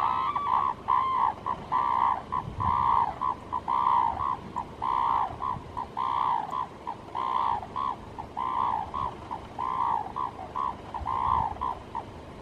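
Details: A pair of red-crowned cranes on the frozen Imjin River at Samgot-ri, Yeoncheon, Korea, on the morning of 1 January 2018 (11:12), give loud trumpeting honks in quick bursts, about one a second, rising and falling during the courtship dance.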